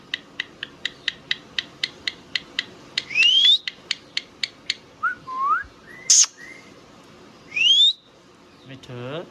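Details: Indian ringneck parrot kept as a pet, opening with a steady series of sharp ticking clicks, then rising whistled sweeps, short warbled notes and a closing buzzy harmonic phrase.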